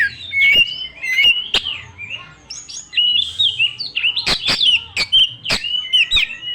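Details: A young forest-origin Oriental magpie-robin sings a loud lure song packed with fill-in phrases. Sweet slurred whistles alternate with short buzzy notes and rapid trills, accompanied by several sharp clicking sounds.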